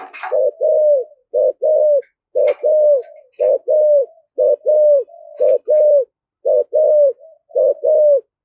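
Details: Highly driven thúc gù cooing in thổ voice from a spotted dove: rhythmic low, husky coos roughly every second in paired pulses, mixed with sharp clicking and tapping sounds.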